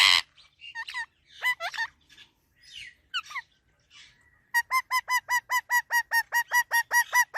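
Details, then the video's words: Parrot giving irregular harmonic squawks and upward-hooked notes, then a fast, steady run of about a dozen identical nasal honking calls, several per second. "Talking Parrot Natural Sounds"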